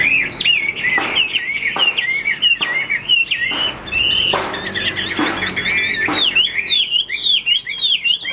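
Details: Caged Chinese hwamei, a fighting bird shown spreading its wings with an upright posture, in Vietnam. It sings a continuous rich song of loud, varied whistled phrases that slur up and down, broken by sharp clicking knocks.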